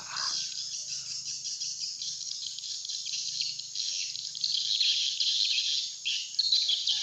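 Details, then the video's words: Lure call for attracting swiftlets, a style called "serangan udara": thick, unbroken high chattering and rapid chirps that swell slightly toward the end, over a faint low hum. "Suara panggil burung walet serangan udara"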